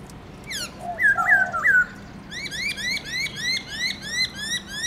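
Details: Black-throated laughingthrush singing in the morning, 'forest voice' with many notes: loud dipping whistles and a low warble, then a fast repeated series of upswept chirps.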